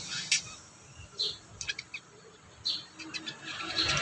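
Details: Kurincang in full song, used as training audio for other birds: short sharp high chirps and clipped whistled notes scattered irregularly over a low background hiss.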